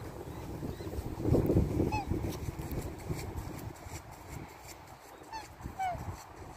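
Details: A family of black swans (Cygnus atratus) in Australia give a few short, bugling, slightly downslurred honks spaced seconds apart over a rough, low, breathy background rumble.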